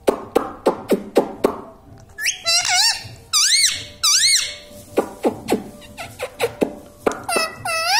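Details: Pet talking parrot, a green ring-necked parrot, in an indoor room, giving sharp squeaks and clicks, then looping whistled and warbled phrases rising and falling, with more clicks near the end; a person speaks before.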